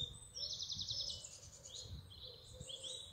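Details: Spring birdsong in England, as trees come into leaf: a fast, rattling high trill opens, followed by softer whistled phrases from several birds over a steady low hum.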